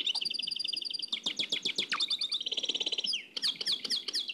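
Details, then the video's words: From an old cassette tape, a nightingale's Oued El Alleug style song: quick repeated notes, falling clicks and a buzzing trill, delivered without pause. "تغريد واد العلايق نقلته عن كاسيت قديم بصحتكم خاوتي معمر روسينيول"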